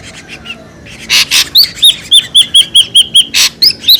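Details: Noisy lure call of an ashy drongo: two loud rasping bursts, then a quick series of about nine hooked, whistled notes, each dipping then rising, followed by another rasp and two more whistles.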